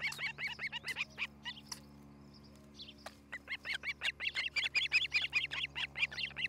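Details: Osprey at its nest in Charlo, Montana, on a nest camera on the morning of 07-11-2018. Repeated shrill whistled chirps, a brief lull with scattered notes, then a rising, accelerating run of loud cheeps under a low steady hum.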